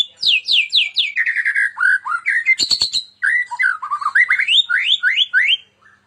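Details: A white-rumped shama sings busily on a master recording for training captive shamas, with rapid downslurred whistles, mellow lower warbles, a burst of sharp cracking clicks, then a run of quick rising whistles repeated in a row.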